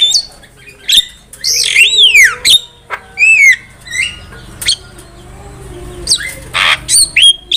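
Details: Lively Javan myna song, used as a trapping lure and as a tutor recording. Sweeping whistles slur up and then down, mixed with scattered sharp notes and short harsh bursts, with quieter gaps between the phrases.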